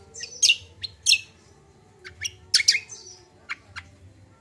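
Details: Common iora in energetic gacor combo song, played as bait to stimulate untrained birds: loud sweeping high notes and squeaky chirps in uneven bursts, with pauses between groups and a soft low hum underneath.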